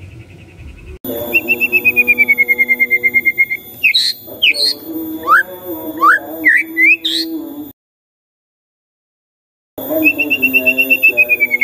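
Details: White-rumped shama singing in the morning as a lure for silent shamas: a rapid series of falling repeated notes, then scattered upslurred whistles and sharp notes over a steady electronic hum, a silent gap, and the repeated series again.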